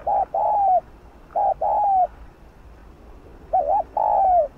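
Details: Decoy spotted dove in thúc gù cooing, meant to get other doves calling fast: three phrases, each a short low note or wobble and a longer coo sliding downward, spaced about a second or more apart.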